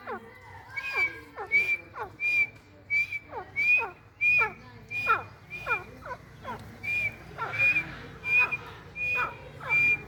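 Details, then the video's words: Calls from a white Dhakni teetar, a rare pale partridge variety kept at home. Steeply falling notes repeat about every half second, each followed by a thin high whistle, over a steady low background hum. "White Teetar Voice"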